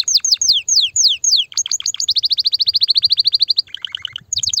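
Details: Canary singing to prepare hens for mating: a string of steep downward-sweeping whistles, then a fast even trill of clipped notes, a lower buzzy phrase and renewed high notes.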